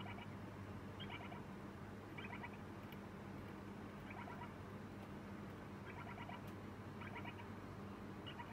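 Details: Young lineolated parakeet, two days after arriving in a new home, giving 'pii-popo' chick cries while eating: about six brief pulsed, chattering bursts at uneven gaps, with faint clicks and a constant low hum.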